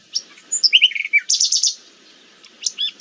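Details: Nightingale song offered as an example of forest birdsong: high whistles, then a descending series of rich warbled notes, a dense buzzy burst, a pause and a final short whistled phrase.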